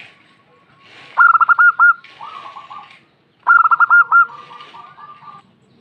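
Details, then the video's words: A local female zebra dove answers twice, about two seconds apart. Each time a loud clipped series of coo notes runs into a softer rolling trill. "PERKUTUT BETINA SUARA PEDAS SEKALI MENDESAH PERKUTUT SETERAS NYAHUT SEMUA"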